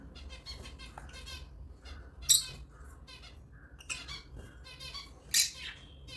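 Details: African lovebirds chirping indoors: harmonic chirps stacked at mid to high pitch in quick bursts, broken by a few louder harsh squawks, over a low steady background hum.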